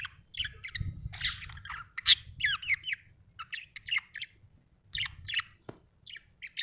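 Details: Happy pet budgerigar chirping in a lively run of short whistled and warbled notes that rise and fall, broken by brief pauses, over a soft low rumble.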